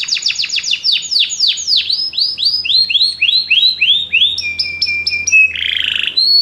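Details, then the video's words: Many canaries singing together after hearing music: a long cascade of rapid falling whistled notes slowing steadily, then short clipped notes and a brief buzzy burst. "muitos canários cantam junto depois de ouvir essa música"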